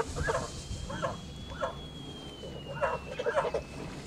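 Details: Farm-kept male Kholmogory goose, white, two months and 26 days old, recorded 20 August 2017, uttering single short nasal honks about every half second, spaced and moderate, with a faint high tone throughout.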